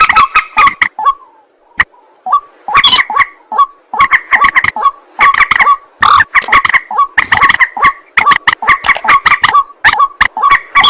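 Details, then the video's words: White-breasted waterhen at night producing long runs of rapid, harsh grunting croaks, roughly two per second, with a quieter spell near the start. "ruak ruak mandar batu mp3 2 suara burung malam hari"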